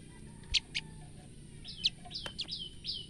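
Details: Female olive-backed tailorbird calling out of fright with sharp, high notes and short downslurred chips in a loose, uneven series, set against low background noise.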